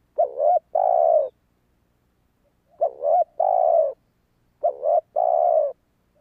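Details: Spotted dove cooing used to attract wild doves: three calls at uneven intervals, each a bent opening coo followed by a long, smooth, slightly falling croon, in otherwise quiet surroundings.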